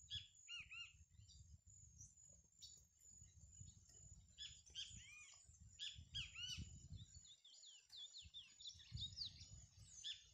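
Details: Chestnut-bellied seed-finch singing in a catch-and-release championship, a stage of the 2018 competition: rapid high whistled and slurred phrases repeated in bursts, over a steady high hiss and low rumbling background noise.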